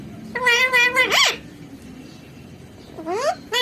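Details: Pet parrot imitating human speech, indoors; a few harmonic, voice-like syllables in quick succession, then a rising squeaky slur, a pause, and another rising note at the end.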